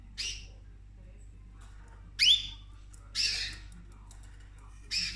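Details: Female cockatoo at home feeding on her owner's orchids utters four harsh, grating squawks, the second loudest with a bright upward-sliding ring, each roughly a second apart, over quiet room noise.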